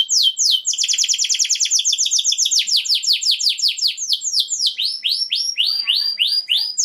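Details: Canary singing to prepare females for mating: long fast trill of downward-sweeping notes, shifting into slower, separated arched syllables, loud and continuous.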